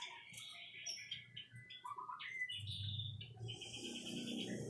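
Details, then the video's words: ['White-rumped shama singing a varied run of clear whistled phrases, some sliding upward, others short and high, mixed with rapid chips; a steady low hum runs underneath throughout.'] "Kicau Murai Batu"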